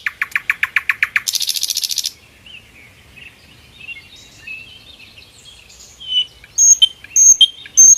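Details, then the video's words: Sikatan londo flycatcher singing vigorously in the wild, a tutoring recording: a rapid series of repeated notes runs into a buzzy high trill, then soft varied twittering and clear high whistled notes. "Masteran kicau burung sikatan londo gacor di alam liar"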